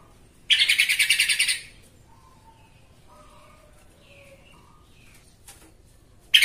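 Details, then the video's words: Yellow-vented bulbul used as a lure recording to excite other bulbuls into singing: a harsh, buzzy burst of about ten rapid chattering notes for roughly a second, followed by faint, scattered short whistles against a quiet background. "TRUCUKAN EMOSI BONGKAR ISIAN"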